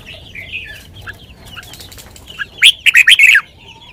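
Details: Red-whiskered bulbul giving a sweet 'lak wai' style song: faint whistles and clicks, then a loud, fast phrase of four or five bright, slurred notes ending with a falling slur.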